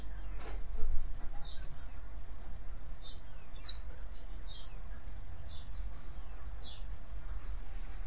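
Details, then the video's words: White-eye calling to provoke answers from other white-eyes: series of high descending chirps, often in quick pairs, repeated about every second, with a brief thump early and low background rumble. "cuitan dan crecetan pleci ini ampuh memancing pleci lain nyaut"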